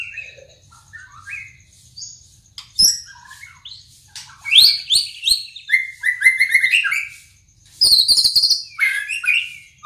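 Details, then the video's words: White-rumped shama working on its song, with scattered short whistled notes that build into loud, rapid sequences of sharp downward-sweeping whistles and high buzzy bursts. "Burung Murai Pastol Menyusun Lagu"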